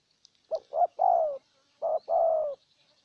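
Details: Spotted dove decoy bird luring a wild bird in Ninh Thuận: two short coos then a longer falling coo, a pause, then a short coo and another long drawn-out falling coo, soft and low.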